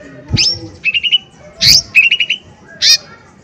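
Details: Lesser green leafbird singing loudly as a trigger to make other birds respond: sharp high whistled notes alternating with short runs of three or four quick chattering notes, over faint low background noise.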